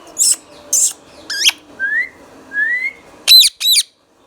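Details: Green Indian ringneck parrot, pet talking bird, repeats raspy high chirps about every half second, then two smooth rising whistles and two piercing, harsh squawks close together.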